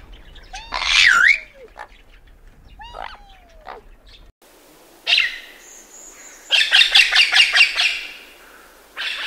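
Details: Peacock (Indian peafowl) giving two loud, harsh, wailing calls, each swooping up and then down, a couple of seconds apart, followed by a different bird's rapid, scratchy chattering bursts.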